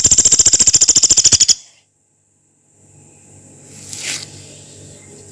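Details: Rice-collared woodpecker song used as a training master for songbirds: a loud, rapid, even trill of high buzzy pulses lasting about one and a half seconds, then silence and faint rustling.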